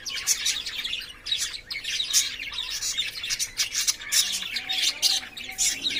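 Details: Lovebirds in a cage during courtship and play: dense, piercing chirps and scratchy squeaks tumble over one another in rapid bursts, loud and continuous.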